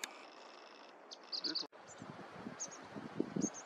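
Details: White-browed Tit-warbler, a resident bird, recorded in Ladakh, India, gives thin, very high, short notes in a quick cluster of three and then single notes, with a faint low voice and handling sounds beneath.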